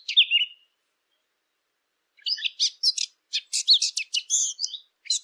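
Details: Eurasian blackcap song for hunting lure devices: a short whistled phrase, a two-second pause, then a quick scratchy chattering sequence of sharp, repeated notes, in clean silence.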